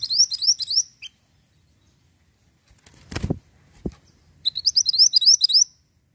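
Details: Ashy tailorbird song played as a lure: two bursts of rapid, high, rising slurred notes in quick succession, separated by a quiet gap with a couple of low thumps.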